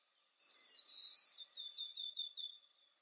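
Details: Eastern crowned warbler singing on a sunny 19°C day: one loud, high, buzzy drawn-out phrase that slurs upward, then a run of faint, short, thin high notes repeated in quick succession, fading away.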